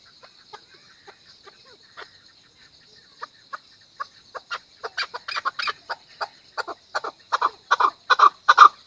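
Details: Faint, spaced chuk notes from a Chukar build steadily into a loud, rapid, rasping clucking series by the end, the rhythm quickening as the calls swell.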